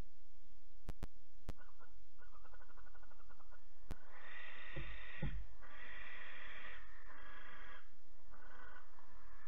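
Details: Barn owls at a nest box in Alphen, 8 August 2019 at 23:33. Young about 12 weeks old are chased off as the parents reclaim the box. Harsh, hissing screeches in several long bursts follow some sharp knocks and thumps.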